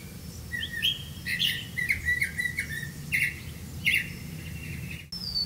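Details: Grey-capped greenfinch feeding young with crickets; a busy stream of harsh, wavering chirps and squawky notes, with a sharp click near the end and steady low hum.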